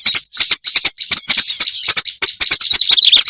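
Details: Black-browed reed warbler, lure sound: short bursts of harsh buzzy chatter separated by brief pauses, merging into a continuous rasping run with thin squeaky notes at the end.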